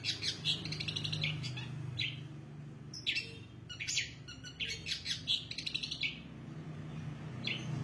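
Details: Long-tailed shrike singing in short bursts of harsh, high chattering notes broken by brief pauses, over a steady low hum.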